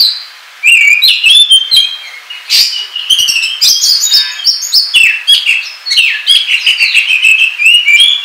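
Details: Oriental magpie-robin lure song for trapping, with strident repeated chattering phrases, buzzy rattles and slurred whistles delivered in rapid bursts, loud and close.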